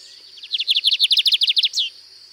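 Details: Lined seedeater singing a distinctive song variant at Sítio Paraitinga in Cunha: a fast run of about fifteen high, bright notes, each sliding downward, closing on one longer down-sweeping whistle, in a quiet background.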